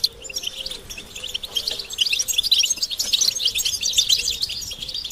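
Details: European goldfinch group twittering, described as stimulation to make males sing: a quiet start building into a thick stream of fast, jingling, high-pitched notes by mid-clip, with a faint low hum underneath.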